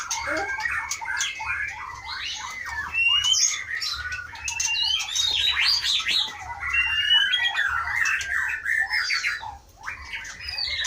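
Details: Aceh white-rumped shama, wild-caught in 2012 in Pining forest in the Leuser highlands and in a breeding aviary from 2017, delivering a dense, fast medley of whistles, rattles and squeaky notes almost without pause.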